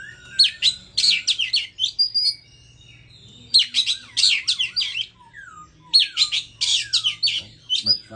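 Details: A newly bought, hand-raised Oriental magpie-robin on its fifth day, excited by a played recording of hwamei song, sings three rich, fast bursts of twittering and whistled notes, each about two seconds, with short pauses, over a faint indoor hum.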